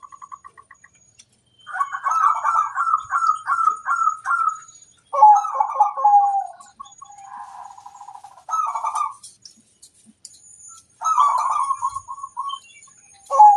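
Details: Zebra dove of local stock singing a long sequence: a run of evenly spaced pulsing coos, then rolling phrases, a softer trill and further short bursts, all mid-pitched against a quiet background.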